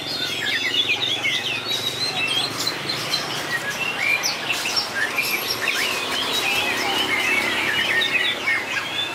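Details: White-rumped shama singing in a contest, with long, varied phrasing: a dense, unbroken stream of rich whistles, quick rising and falling slurs and sharp chips, layered over light background noise.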